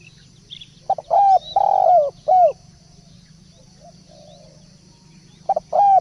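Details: Lure call of a spotted dove, a series of low, slightly arched coos in a rhythmic group of four, then a silence of about three seconds before the cooing resumes, with a steady low hum underneath.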